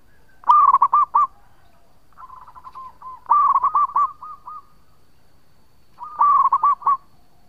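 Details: Local zebra dove in full song, a long-voiced lure bird: three bursts of rapid, rolling coos around one pitch, each a quick stuttering run of loud notes, the middle one led by softer trailing coos, all on a quiet background.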